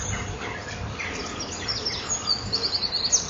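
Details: Male common kingfisher at a breeding wall, landing on the wall before entering the right artificial nest tunnel, 8 March 2013 at 08:23; a brief run of high, thin, rapid piping notes near the end over steady background hiss.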